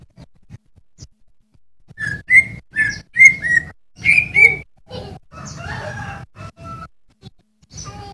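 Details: Greater Green Leafbird song to train cage birds: a string of short whistled notes repeated about once a second, then softer lower warbling phrases toward the end.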